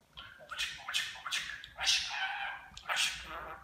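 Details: Pet talking budgerigar at home mimicking Turkish speech; a run of short, harsh, broadband syllables, about six bursts in under four seconds, with speech-like rises and falls.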